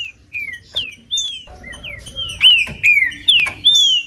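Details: Green-winged saltator singing, a recording played to warm up a cold bird before tournaments: a string of clear, slurred whistles, each rising then falling, repeated about every half second and growing louder toward the end.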